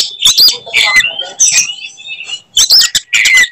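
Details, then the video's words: Oriental magpie-robin in fighting mood, provoking other birds: scratchy, buzzy bursts mixed with slurred high whistles, in uneven phrases separated by brief silences. "kacer gacor tarung bongkar materi tembakan khas bikin kacer lain NGAMUK dan EMOSI"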